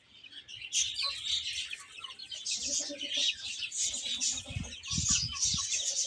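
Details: Chicks eating and playing, with shrill high peeping throughout and several soft low tapping sounds toward the end.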